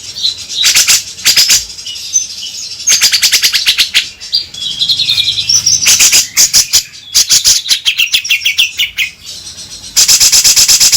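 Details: Grey-cheeked bulbul (cucak jenggot) in a lure recording meant to make the bird sing eagerly: bursts of sharp, high chirps and clicking notes in dense rapid runs, separated by short pauses.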